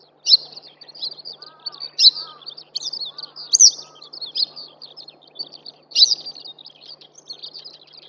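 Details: Eastern yellow wagtail singing at Shimo-Sarobetsu plain, Hokkaido: repeated high sharp chirps amid a busy chorus of other twittering birds, with lower whistled notes from another bird and a soft background hum.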